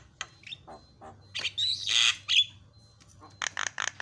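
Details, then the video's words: Javan myna (jalak kebo) song for training other mynas, with 'isian' fill phrases: scattered raspy squawks and a loud harsh screech with whistled inflections, ending in quick rasping notes. "KICAUAN JALAK SUPER MANTAP"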